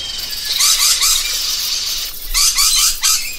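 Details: Parrot uttering two quick bursts of shrill, grating screeches, each burst three or four rapid notes with a rising-falling inflection, separated by a brief pause.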